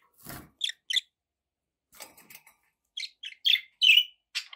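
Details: Pet budgerigars giving short, bright chirps in scattered pairs and bursts, with a dull low thump near the start and quiet gaps between calls.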